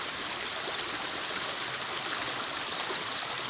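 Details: White-eyes twittering over a rushing, stream-like hiss, aimed at white-eyes that have stopped singing: scattered high, quick downslurred chips, softer and sparser than a full chorus.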